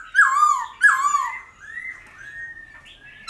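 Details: Black-throated laughingthrush in its 'old forest' singing style, used to rouse wild-caught birds: two strong, rich down-slurred whistles followed by softer, drawn-out rising and level whistles.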